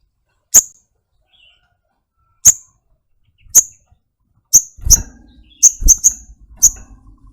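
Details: Sogok ontong, the Brown-throated sunbird, calling with isolated, crisp high-pitched chips, widely spaced at first and then closer together in a quick cluster, with light knocking sounds in the background.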